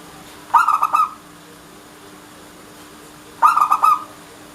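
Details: A local Indonesian zebra dove (Geopelia striata) sings two soft, rhythmic cooing phrases, each a quick stuttering run of about half a second, spaced nearly three seconds apart, over a faint steady hum.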